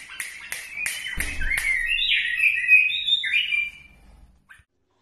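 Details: Iraqi bulbul singing: several sharp clicks and a low thump, followed by a fluent, warbled string of whistled notes sliding up and down for about three seconds before stopping.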